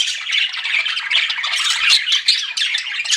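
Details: Flirting pet budgies keep up a steady stream of chirping: rapid, grating warbles mixed with thin squeaks and clicks, unbroken from start to finish.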